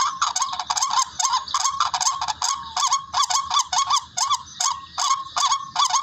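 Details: Hunting lure recording of a barred rail (tikling): grating upslurred notes that run together irregularly, some paired and some stretched, at a fast pace. The call is rendered "ruak ruak".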